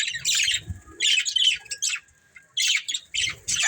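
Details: Short squawky chirp bursts from a breeding pair of budgerigars, spaced by silent gaps, with a faint steady whistle underneath.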